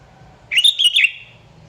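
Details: Sooty-headed bulbul singing energetically, a song for calling out rivals: a single short, liquid phrase of three or four quick bubbling whistles, rising then dipping, clear against a quiet background.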